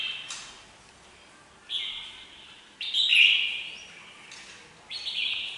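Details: Red-whiskered bulbul singing: three short, bright warbled phrases about a second apart, each starting sharply then trailing and falling in pitch, with quiet background between.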